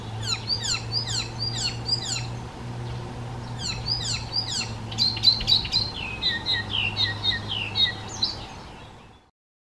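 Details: Icterine warbler, a songbird able to imitate the voices and songs of other bird species, singing a rapid high series of sharp downslurred notes in quick bursts, then shifting to varied buzzy and whistled phrases over a steady low hum.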